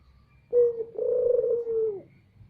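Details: One loud Barbary dove lure call for attracting other doves: a sharp short note, a brief gap, then a sustained throaty rolling coo that sags downward at its close.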